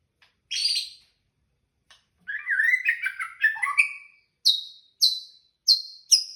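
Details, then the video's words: White-rumped shama singing at night, a rich varied phrase of quick fluty warbles and slurred whistles, followed by four sharp buzzy high notes repeated about every half second; quiet background otherwise. "Berkicau malam hari"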